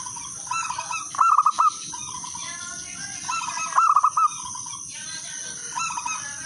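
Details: Melodious phrases from a local wild zebra dove, meant to lure other doves into song. Two phrases of rapid looping coos come about two and a half seconds apart, with softer doves cooing around them and constant high hiss.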